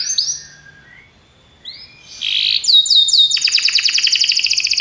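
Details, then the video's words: Belgian canary singing: a few long whistled slurs, a pause, then a loud fast run of rising sweeps and rapid high trills in the second half. "Os canários belgas cantam espetacularmente"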